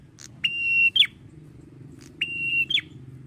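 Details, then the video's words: A male red-headed prinia sings long: two flat, pure high whistles held about half a second, each snapping into a brief descending note, separated by short pauses over a low background hum. "PRENJAK KEPALA MERAH JANTAN GACORNYA NGALUN"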